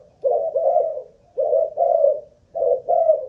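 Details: Caged spotted dove kept as a ground decoy bird, Malaysian line, being tested for cooing stamina; three hoarse, low two-part coo phrases, each a short note then a longer purring one, spaced about a second apart in a quiet room.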